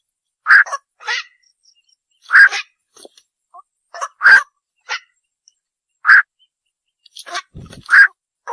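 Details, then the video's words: Malkoha calling: short harsh bursts near mid pitch with broad noisy upper parts, given in irregular pairs and singles about every one to two seconds, with faint scratchy sounds between calls. "kowike malam bird shound (অক পাখির ডাক"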